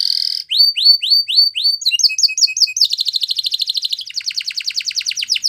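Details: Spanish Timbrado canary singing a series of rising whistled notes at a steady pace, then doubled chirps, and two fast rattling trills, the last one sharper and metallic.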